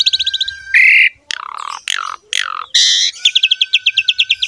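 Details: Javan pied myna training song for getting other mynas to sing: a steady rattled trill over a flat whistle, then loud harsh screeches and buzzy squawks, ending in a fast pulsing rattle.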